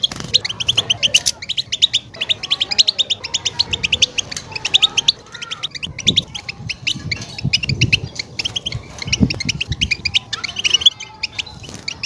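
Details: European goldfinch in full mating song to stimulate a female ready for breeding: long unbroken stream of rapid, twittering chirps and trills, steady and high-pitched, over a soft low rumble.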